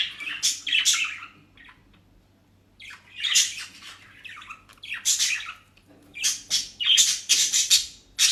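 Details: Budgerigars kept as pets in Den Haag, South Holland, eating dry leaves and grass bought at a bird shop: rough, squawky chattering in clustered bursts separated by brief quiet gaps.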